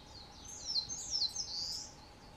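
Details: A Narcissus flycatcher, a summer visitor, on Mount Rokko, Hyogo, Japan, on 21 May 2020, gives one quick, high phrase of slurred whistles and twittering notes lasting about a second, over a faint steady low hum.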